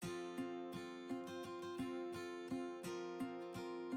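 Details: Acoustic guitar music with strummed and plucked chords in a steady rhythm, and no animal sounds.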